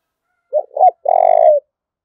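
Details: Spotted dove giving its coo to incite fighting. Two quick soft notes lead into an extended, throaty, rolling coo that fades downward. The phrase is delivered once against silence.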